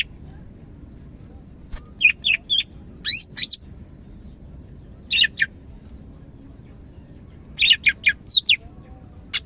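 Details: Greater green leafbird (cak ijo) from Medan singing energetically in bursts: a cluster of rising whistled slurs and sharp notes, a pause, a brief double chirp, another pause, then a final rapid burst of varied whistles.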